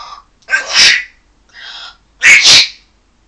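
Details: Pet African grey parrot on his playstand, wanting attention: a few harsh, breathy, sneeze-like bursts, two loud ones roughly a second and a half apart with a softer hiss between, in a quiet room.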